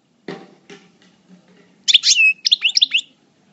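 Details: Caged European goldfinch in moult singing, El Bordj: a quick burst of bright, twittering high notes and short liquid trills lasting about a second, after a few soft low knocks.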